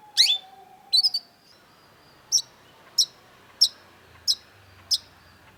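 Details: Long-tailed shrike (cendet) in a masteran recording of vigorous song: a rough high burst and short trill open, followed by sharp isolated ticks repeated roughly every 0.6 seconds.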